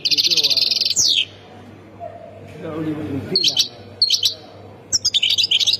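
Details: European goldfinch from Khemis Miliana in Algeria's Ain Defla province, giving rapid bright twittering phrases at the start and end, with a quiet stretch of muffled human voices between them.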